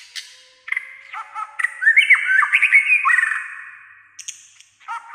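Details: White-rumped shama in breeding condition, said to sing nearly all day with varied voices: harsh chips lead into a fast, complex warble of sliding whistles, then trailing chatter and a rough note.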